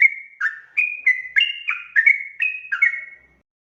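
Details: Short stretch of sooty-headed bulbul ropel song, played as a lure: about ten clear whistled notes, each bending up or down, delivered quickly before fading to silence.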